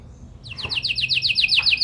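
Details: Canary in full, persistent song with special melodic phrasing, meant to prompt other canaries to answer; after a brief quiet start, a fast series of sharp, descending high notes repeats evenly, about eight per second.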